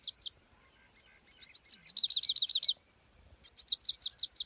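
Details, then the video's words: European goldfinch, locally called saira, singing at the start of its song: bursts of sharp high twittering notes with a run of rapid repeated downslurred trills, separated by brief pauses. "full start Saira #goldfinch #saira #singing"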